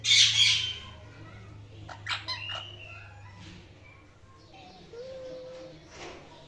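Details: Indian ringneck parrot, described as naughty, opening with a loud raspy screech. Scattered softer chirps and a short flat whistled note follow against a low steady hum.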